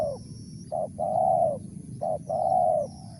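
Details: Spotted dove in the crisp mersik style, repeating a quick low note followed by a long steady coo, two phrases about a second apart.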